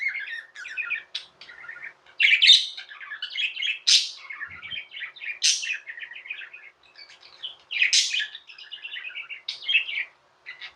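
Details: Pet budgerigars in almost nonstop chatter: dense, rapid buzzy warbles punctuated every couple of seconds by loud, sharp rising squeaks.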